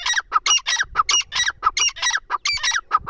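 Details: Partridge calling loudly in a steady series of harsh, grating squawks, each a short ringing burst, about three every second, with little else audible.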